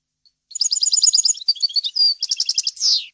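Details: European goldfinch song meant for teaching fledglings: rapid doubled high chirps, a brief pure whistle, then further twittering notes ending in a descending buzzy flourish.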